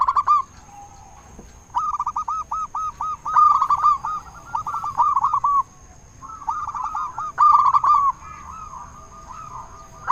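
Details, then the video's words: Loud-voiced local zebra dove song meant to stir other doves into answering: repeated bursts of rapid rolling coos in several phrases separated by short pauses, more than one bird overlapping, a steady faint tone in the background. "Perkutut Lokal Gacor Suara Besar Pancingan Burung Perkutut Bikin Langsung Nyaut"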